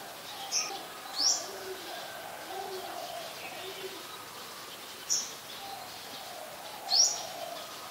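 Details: Sharp, high-pitched chip notes from an olive-backed sunbird in the Sirinart Rajini centre's mangrove forest, four brief downward-flicking calls spaced a few seconds apart against quiet background.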